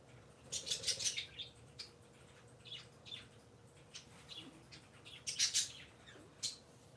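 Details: Three pet parakeets on a Sunday morning, giving soft scattered high chirps and short twittering bursts in small groups, with quiet gaps between calls in a calm indoor room.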